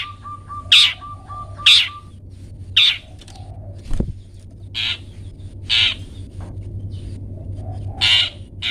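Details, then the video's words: Long-tailed shrike, a model for training pet birds, gives harsh, scratchy calls spaced about a second apart. A brief steady tone plays at the start, and a single thump is heard midway. "Cendet toet toet"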